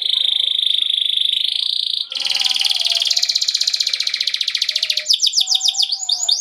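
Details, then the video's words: Canary ngerol trill meant as a lure for other canaries: a sustained high trill breaks into a loud, rattling roll that slows slightly, then finishes with quick, swooping, descending notes. "KENARI MANA YANG NGAK AKAN RESPON, DENGARKAN PANCINGAN KENARI NGEROL INI"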